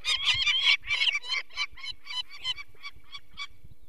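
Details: A peregrine falcon protests people taking a chick from its nest, Barycz Valley, Poland, 2 May 2023. Harsh notes open loud and crowded, then slow and weaken into spaced, fainter cackles, with low handling bumps beneath.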